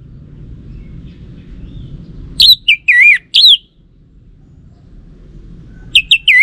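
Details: Lure song of the orange-headed thrush, aimed at getting a male to respond. A few loud, looping, wavering whistles, a pause with low background hum, then another short group of quick whistled notes.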